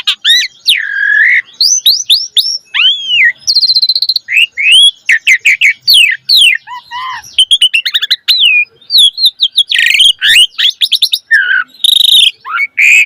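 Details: Lively, varied song of a Javan pied starling, played as tutor audio for young starlings, with a dense, nonstop stream of rising and falling whistles, quick chirps and harsh buzzy notes over about thirteen seconds.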